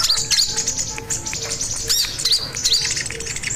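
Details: Energetic crimson sunbird song meant as a lure and master for other birds: sharp high twittering and hooked whistled notes repeated several times a second, over a faint low broken hum.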